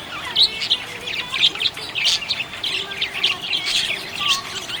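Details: Budgerigar chirping happily: dense, continuous chatter of quick high chirps, warbles and short squeaky notes, with several birds overlapping throughout.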